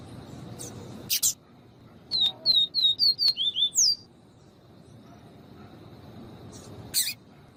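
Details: Viviti-type song of a double-collared seedeater, a female calling to excite the male. Eight rapid falling whistles sink to lower notes and end with a high sweep. Brief harsh bursts occur before and well after the phrase.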